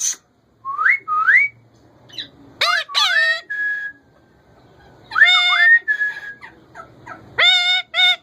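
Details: Male rose-ringed parakeet kept as a pet makes two upslurred whistles, then loud rising harmonic squeals and flat whistled notes, some doubled, with quieter chatter between.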